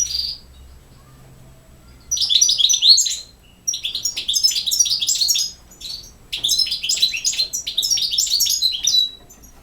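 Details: Goldfinch song in three bursts separated by short pauses: rapid, liquid twitters mixed with bright, slurred high notes and brief buzzy trills, the opening phrase following a single thin note and a long silence.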